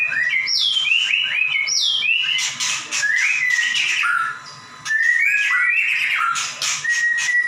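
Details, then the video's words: White-rumped shama in full 'gacor nembak' song, meant to tutor lazy or young shamas: bright swooping whistles and quick chattering phrases, a brief near-silent break midway, then another burst of varied rising and falling notes. "Murai batu gacor nembak"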